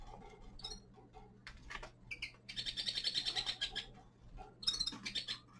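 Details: A young male common linnet (Carduelis cannabina), a captive bird in winter, gives a quick run of high, dry twittering notes, rapid and uneven, with brief pauses between bursts over a faint steady hum.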